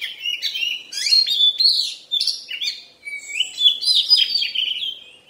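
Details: Oriental magpie-robin in its moulting period, singing dense, varied phrases of buzzy chatters and bright whistled slurs with barely a pause.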